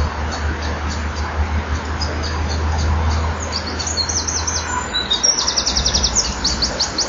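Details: Eurasian wren singing from a hole in a breeding wall at 18:29 on 11 October 2011, before entering a kingfisher nest tunnel: scattered high chirps build into fast, very high rattling trills, over a steady low mechanical hum.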